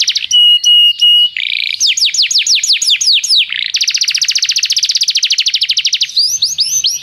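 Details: Canary song offered as a tutor recording for training a canary's song: loud, rapid trills in changing tours, first clear repeated whistles, then fast sweeping notes and dense buzzy rolls, each tour several seconds long.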